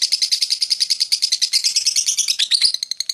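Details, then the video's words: Lovebird in a long ngekek performance lasting over two minutes: fast, high, buzzy chattering notes pulsing steadily about seven times a second, with a rougher, more uneven burst near the end. "LOVE BIRD NGEKEK PANJANG 2 MENIT LEBIH"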